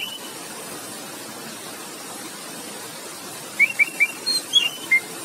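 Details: An orange-headed thrush sings in a relaxed, full-voiced ngeplong style. After a quiet start, a short burst of clear whistled notes arrives: three quick rising notes, then a few higher and lower whistles near the end.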